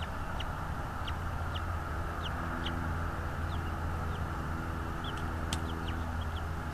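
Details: Short, thin, downslurred bald eagle notes come roughly every half second to a second over constant low-frequency rumble and hiss. Recorded by a nest camera in North East Florida on 24 January 2022 at 16:40.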